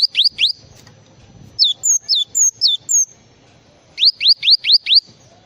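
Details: Java sparrow singing a full, varied song: a burst of three sharp falling whistles, then four high paired notes, then five quick upward-sweeping strokes, all high-pitched with quiet gaps between.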